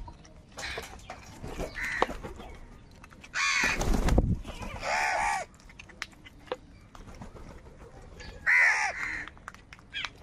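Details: Crows fighting for food, giving harsh, hoarse cawing calls in a few loud bursts, one long rasping caw and shorter grating ones, with noisy background rumble between calls.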